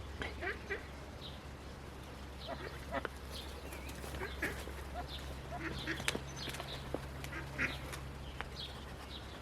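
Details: Newly hatched Indian Runner ducklings, lively in their nest, give short high peeps in irregular bursts, with a few sharp clicks and a constant low mechanical hum behind.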